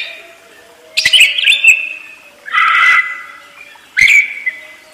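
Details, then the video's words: Caged parakeet song in three separate bursts of bright, chattering warbles and rasping twitters, each lasting under a second, with a faint steady low hum underneath. "ISIAN PARKIT FULL MEWAH"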